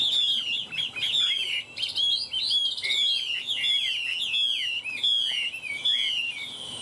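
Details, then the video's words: Tame caged Chinese hwamei in fighting song, one of two birds kept three years: a continuous dense stream of high, fast, slurred whistles and chattering notes with hardly a pause. "Họa mi hót đấu"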